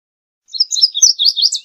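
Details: Indigo bunting song phrase: about a second of quick, high, slurred twittering notes run closely together, bright and sweet, ending in a rising chirp.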